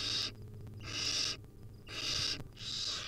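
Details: Wild young barn owls begging to be fed by their mother at the nest; four rapid, rasping hiss-screeches close together, nearly one per second, the loudest sounds here, over a faint hum.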